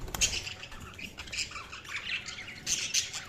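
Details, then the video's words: Budgerigar chirping, softer and more distant: thin, high squeaky notes and scratchy chatter scattered through the clip, with a couple of brighter peeps toward the end. "Budgies Sounds| Budgies Chirping sound"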